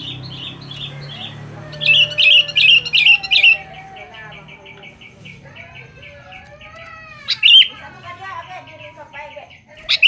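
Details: Sooty-headed bulbul in energetic voice, calling out to females: a run of loud, sharp chirped notes repeated quickly, then softer chattering, with a few bright rising notes later and faint background noise.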